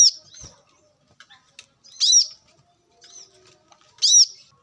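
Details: Wild brown-throated sunbird used as a lure: loud, sharp, high chips with curved overtones about every two seconds, separated by softer, fainter twitters.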